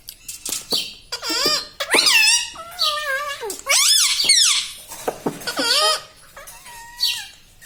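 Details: Talking pet parrot in a room, trained on words like mummy, papa and radhe radhe; a busy string of squeaky, warbling, speech-like phrases, some held and wavering, with short pauses.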